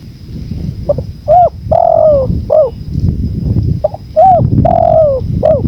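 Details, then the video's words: Spotted dove cooing in a 2024 tutor recording for training birds and relaxation, blended with natural wind sound: soft hoarse coos in two phrases, each a short note, a rounded coo, a long falling coo and a clipped ending, over rumbling wind and a steady high electronic tone. "MASTERAN TEKUKUR 2024"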